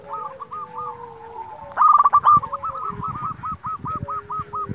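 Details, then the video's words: Local zebra dove in lively full song, played to provoke rival doves into answering and to raise breeding urge: series of rapid, rolling cooing notes, with a louder harsh burst of strokes midway and other doves cooing behind. "Perkutut lokal gacor Sekali Putar Lawan Pasti Emosi Langsung Nyaut"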